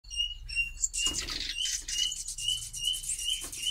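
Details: Common Nightingale (Luscinia megarhynchos) in breeding season 2020, repeating a clear, high whistled note about every half second, with bursts of rustling, hissy noise over the top.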